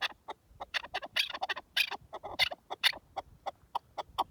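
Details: Partridge in the wild, natural live recording: a steady series of dry clucking notes, building into denser chattering bursts before slowing to spaced single clucks.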